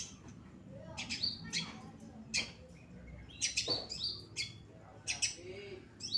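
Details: Pastol-type long-tailed shrike in full song, used to train other birds: scattered sharp, high chips and short harsh bursts with gaps between them. There is a faint low hum underneath.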